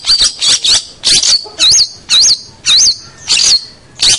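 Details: Long-tailed shrike master song for training young birds: repeated high looping whistles alternating with harsh chattering bursts, roughly two phrases per second.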